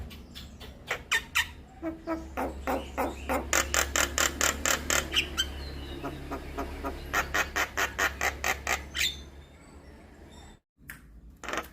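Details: Javan myna lure and training song for all myna types: long bursts of fast, harsh, evenly spaced rasping notes, a noisy pause with faint whistles, then another rapid series before sudden silence near the end.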